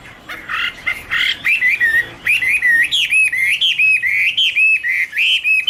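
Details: Chinese hwamei (Garrulax canorus) singing in 2016: a loud, rich run of varied whistled phrases, sliding up and down and broken into quick separate notes, with barely a pause between them.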